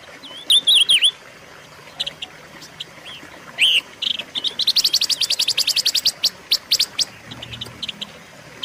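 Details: Silver-eared mesia (Leiothrix argentauris) singing: bright, warbled whistles that slur up and down, then a fast burst of about a dozen sharp, high chips over a quiet background.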